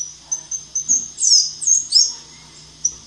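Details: Black-chinned mountain tanager, a species of Colombia and Ecuador, giving very high thin notes followed by several squeaky swooping phrases in quick succession, ending with a lone high note; steady faint low hum in the background.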